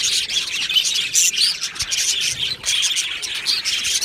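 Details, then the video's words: Aviary budgies singing together, a thick wash of high twittering and squeaky chirps, bursts of louder notes rising out of the chatter. "Budgie singing sounds | Budgie chirping sounds"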